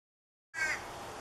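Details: Chestnut-backed chickadee nestlings begging from their gourd nest in the morning before fledging give a single harsh, raspy burst under a second long, with thin high tones at its start, after a moment of silence.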